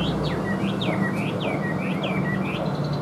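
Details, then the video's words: Chinese hwamei in a cage, noted for singing well in an even voice, delivers a regular series of swooping whistles, each dropping then rising, about three per second, over a steady low background rumble. "HÓT TỐT RA GIỌNG ĐỀU"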